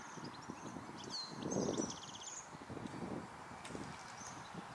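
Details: Waxwings feeding on berries in a tree during December 2023, a group visiting together; a few high, sibilant trills ring out early on, then the calls fade, leaving muffled low thuds and rustling.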